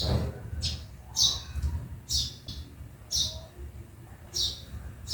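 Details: A sparrow in the backyard chirps about once a second, each note short and bright, with gaps of quiet low hum between.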